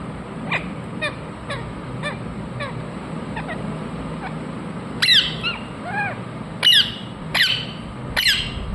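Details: Ringneck parakeet giving sharp harsh squawks, faint short calls early then louder downward-sweeping screeches near the end, several in quick succession, over a steady low background hum.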